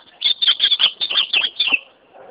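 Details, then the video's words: Ultramarine grosbeak singing: a quick, warbled phrase of about ten bright, slurred notes, fairly high-pitched and evenly paced, that ends in a short falling note and then quiet. "azulão cantando"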